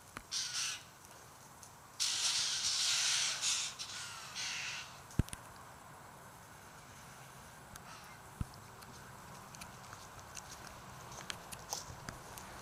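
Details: White-winged choughs, a flock of about 60–70 acting strangely behind a tree after feeding on a kangaroo, give harsh, grating, hissy rasps: a short burst, then a longer rasping run. Two sharp knocks follow in a quiet outdoor setting.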